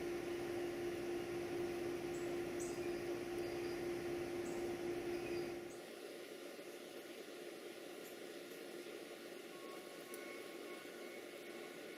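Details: Only steady broadband rushing noise with a constant hum is heard, the low rumble and hum dropping away about halfway through.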